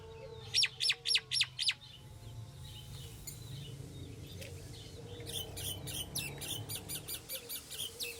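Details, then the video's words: Common myna (Acridotheres tristis) calling: five loud, sharp, evenly spaced notes open the sequence. A quieter stretch follows, then a long, fainter series of rapid repeated chips continues to the end over low background rumble. "طائر المينا │ Myna Bird"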